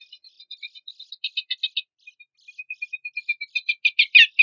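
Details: Horsfield's babbler song used as a lure and master material for contest songbirds: scattered high chips, then bursts of rapid buzzy repeated notes, and a steady series that speeds up and grows louder at the end.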